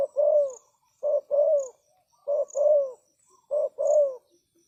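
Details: Spotted dove used as a decoy, calling to lure wild doves: a short low note followed by a longer husky, falling coo, the phrase repeated four times about every 1.2 seconds, with faint high insect chirps behind.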